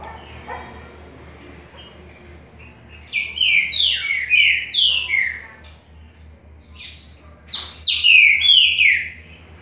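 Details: Green-winged saltator, Paraguayan type, giving two phrases of rich, clear whistled notes, each a run of rising and falling slurs, separated by a few seconds of quiet over a steady low hum.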